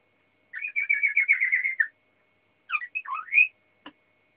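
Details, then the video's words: Waterslager canary sings a short rapid rattling trill, pauses, then gives a few varied warbling and rising notes, ending with a single faint click. "Kanarie waterslager aan het zingen"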